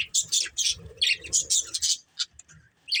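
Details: Pet budgerigars from a family flock give quick, sharp high chirps and warbling trills in rapid bursts, with a faint low murmur underneath.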